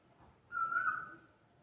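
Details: Asian koel (Eudynamys scolopaceus) in India giving a single clear, whistled note of about half a second at mid pitch over a faint, low background hum.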